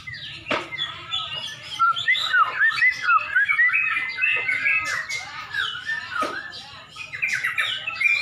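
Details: Yellow-vented Bulbuls competing at a bird-singing contest in Pemalang before dusk; rich slurred whistles and bubbling phrases rise and fall, overlapping with other contest birds, with a few sharp clicks and low crowd murmur.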